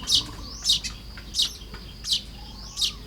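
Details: Nest-building Baya weaver, Lopburi, Thailand, morning of 1 May 2026. Loud high chips fall about every 0.7 seconds, with thin rising notes between them and a faint sliding whistle near the end.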